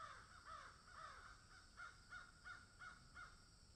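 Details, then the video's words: About ten raspy caws from crows in a field, slower at first, then a faster even run of shorter calls. "crows caw in field"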